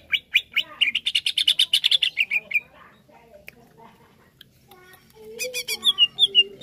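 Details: Greater green leafbird song meant to stir up another leafbird: a fast run of about twenty buzzy, high chattering notes over two and a half seconds, a short hush, then sharp chirps and downslurred whistles.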